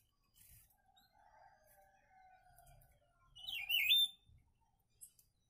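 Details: Papa-pimenta, a kept bird, giving one brief, bright, warbling phrase over a faint low hum and a few soft knocks.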